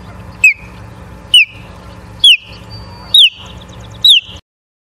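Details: Osprey calling at a nest in Charlo, Montana, on an evening in mid-September 2023. Five clear, piercing down-slurred whistles, evenly repeated about once a second, each trailing into a brief level tone, with a soft low hum beneath.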